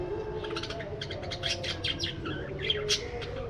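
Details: Parakeets in an aviary produce quick repeated chirps and buzzy twittering in dense runs, with a couple of sharper high tweets near the end. A steady low hum is present.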